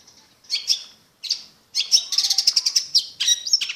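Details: Long-tailed shrike song as training material: a few short harsh notes, then a dense, fast, scratchy chattering run of high notes.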